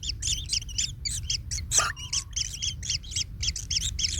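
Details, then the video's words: Baby kingfisher in the nest after being trodden on by a parent, uttering fast, uneven high chirps with one sharp, harsh squawk midway, then the chirping stream resumes; low background rumble throughout. "Anak Tengkek Terinjak Induknya Hingga Kesakitan - Baby Kingfisher bird nest"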